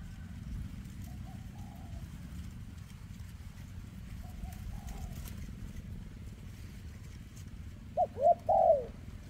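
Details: Spotted dove with a trembling leg, 2024, in kem ruoc song: faint distant soft coos early, then a loud close phrase of two hooked notes and a drawn-out coo near the end, with steady low rumble throughout.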